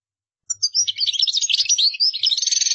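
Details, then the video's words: A European goldfinch launches into a rapid, continuous run of high, liquid twitters that ends in a buzzy, rattling trill. "تغريد مقنين قدارة"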